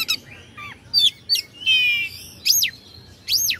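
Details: Kacer, the oriental magpie-robin, sings a provoking song meant to stir rival birds: sweeping whistled notes that rise and fall steeply, a buzzy rattling trill, and spaced high whistles.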